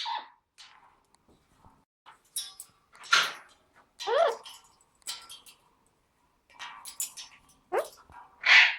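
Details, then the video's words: A pet Amazon parrot sings opera picked up from YouTube, belting out wavering, operatic phrases with swooping notes and rough squawks, in bursts separated by brief quiet pauses. "amazon parrot singing"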